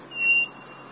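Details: A single pure, flat whistle from a quail of the Northeast, held about a third of a second at one even pitch, with continuous shrill insect drone behind it.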